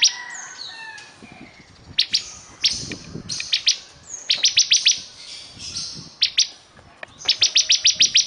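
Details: ['Bar-winged prinia singing energetically in bursts of sharp, high repeated notes, some runs of five or six quick ticks, with a few thin descending whistles early on and faint low background rumble.']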